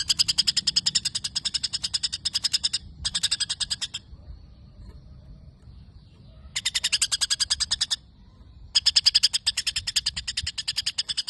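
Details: Long isian gereja from a white-rumped shama, its imitated sparrow phrases: bursts of fast, bright chirping repeated about three per second, broken by short silences, then resuming.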